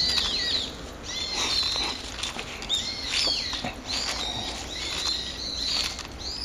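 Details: Ordinary morning calls of a brown-eared bulbul, recorded 26 November: shrill arched notes that rise and fall, repeated in loose clusters about once a second across the whole stretch, over a faint constant hiss.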